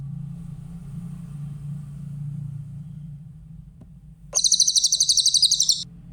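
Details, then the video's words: Clear grey-headed canary-flycatcher song meant for training other songbirds: after four seconds of low droning hum, a soft lead-in note and a rapid high ringing trill of repeated notes lasting about 1.4 seconds. "Masteran burung cililin , suara jernih"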